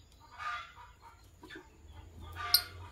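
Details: Morning chirps from a green Fischer's lovebird couple: two rasping, noisy bursts about two seconds apart, the second ending in a sharp shrill squeak, over low background hum.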